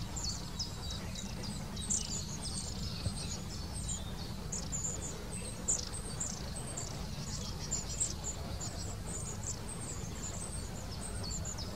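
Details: Long-tailed tits near Wittlich in 2019 give very high, thin see-see notes and short rippling trills, with several birds calling almost continuously over a low background rumble.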